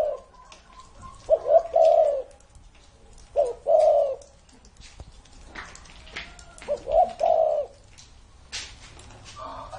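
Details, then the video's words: An aged spotted dove, more than thirty years old, gives mellow low coos in brief grouped phrases spaced several seconds apart, with quiet clicks and knocks in the gaps. "CU GÁY CỤ hơn 30 năm tuổi !"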